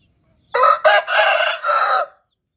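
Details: Single rooster crow from a compilation of crowing sounds: a short, harsh cock-a-doodle-doo of about one and a half seconds in three or four choppy syllables, the last drawn out, on a silent background.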